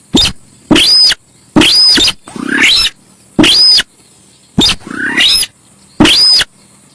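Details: Javan pied starling (sintar sawah) lure song: six loud grating phrases, most crowned by a high arched whistle, two with long rising scratchy sweeps, evenly spaced with brief silences.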